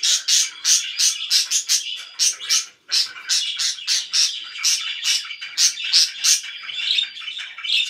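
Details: Loud pet budgerigar chirps: sharp, high, clipped notes repeated rapidly, about three per second, in an uneven run broken by one short pause near the middle.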